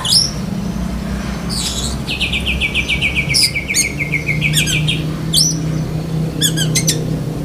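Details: Black-breasted Oriental magpie-robin, a kept songbird, singing a lovebird imitation: sharp high chips, then a fast, even run of buzzy repeated notes lasting about two seconds, and more scattered high chips over a steady low hum.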